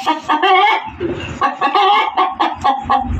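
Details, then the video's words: Loud cackling from a hen: choppy, raspy clucks in quick irregular bursts, with a low rumbling hum underneath in places. "SUARA AYAM BERKOKOK KERAS || suara ayam berkokok betina 10 menit full"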